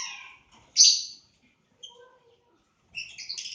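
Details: From a lovebird breeding aviary in Aceh come a loud, shrill squawk, a few faint high peeps, and then a rapid burst of scratchy chirping.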